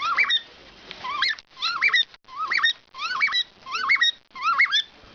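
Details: A male pet cockatiel, covered in its cage at bedtime on 7/08/2012, whistles a short, wavering bedtime tune, repeating the same rising and falling phrase over and over.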